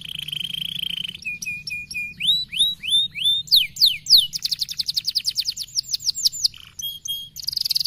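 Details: Canary delivering a stimulating song: a sustained high note, evenly repeated flat whistles, rising upslurs and steep descending sweeps, then a long rapid trill and a buzzy closing phrase.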